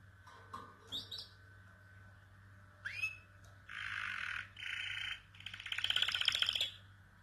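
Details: Canary singing without pause: short chirps and a rising whistled sweep, then broad buzzy phrases, ending in a rapid, loud, clicking trill, over a low steady hum.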